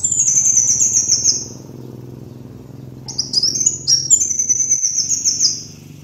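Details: Kolibri wulung (sunbird) song recorded as a master for training birds: a long high rapid trill, a quiet gap, then renewed bursts of sharp sweeping notes and another sustained trill.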